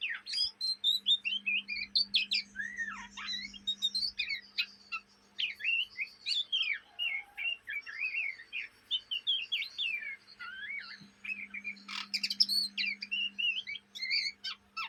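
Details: Young Oriental magpie-robin (kacer trotolan) chattering in the ngriwik style, said to sing day and night, likely kept in Indonesia: a dense run of varied whistled and chattering phrases, sweeping notes and sharp chirps, nearly continuous with brief pauses; a steady low hum underneath.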